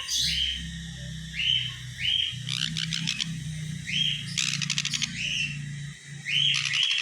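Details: Home-kept sun conure chick repeating short bright chirps, each a quick rising-falling note, roughly every second, with rattling clicky bursts in between and a steady low hum from the room beneath.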